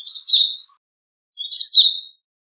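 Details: Two high-pitched rasping calls from a Japanese tit, each a scratchy buzz followed by a short piercing whistled ending, about one and a half seconds apart, with no other sounds.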